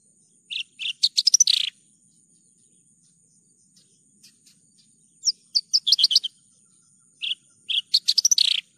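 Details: Javan bush lark song used as a training recording for captive birds: bursts of sharp high chirps and rapid buzzy trills, separated by pauses of a few seconds, with a steady faint high hiss behind.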